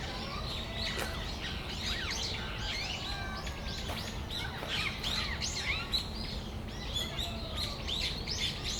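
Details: Brown-eared bulbuls in Tamagawadai Park on a December afternoon. Many harsh, squealing notes with sweeping rising and falling strokes overlap in a busy chorus throughout, over a steady low outdoor rumble.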